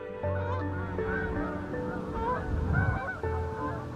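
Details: During a snowy February 2021 winter on Governors Island, New York, Canada Geese give overlapping nasal honks, several calls a second from more than one bird, over a steady low hum.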